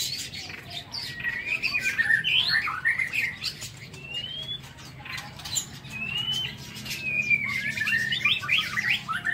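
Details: White-rumped shama song from an aviary in the morning: loud warbled bursts, then separate upward-sliding whistles, over steady pattering and cage noise.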